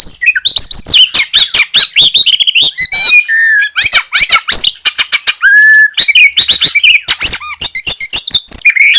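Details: Ciblek gunung, the bar-winged prinia, in a mix with oriental magpie-robin song used to provoke other birds: fast, varied chattering of sharp chips, rising and falling whistles and brief buzzy trills, almost without pause.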